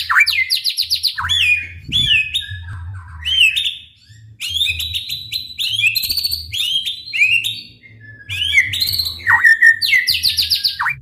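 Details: White-rumped shama singing a varied, loud song of rapid falling slurs, buzzy rattles and sharp chirps in bursts separated by short pauses, a recording used to provoke other shamas to sing.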